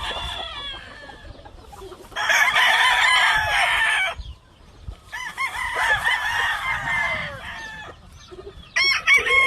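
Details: Black Jap McRae and Harold Brown Grey Red Fox chickens on a Hawaii game-fowl farm bred for show crow in loud, harsh, ringing bursts about two seconds long, with quieter clucking between.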